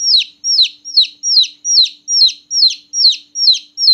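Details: Small newborn chicken chicks chirping loudly at night: high, falling peeps repeated about two to three times per second in a steady, even series, with a faint low hum underneath.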